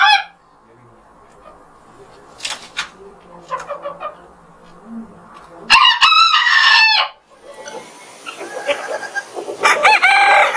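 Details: Rooster crowing in the morning, warning other roosters off. Scattered clucks and knocks lead into a loud, hoarse crow near the middle, followed soon after by a second, rougher crow.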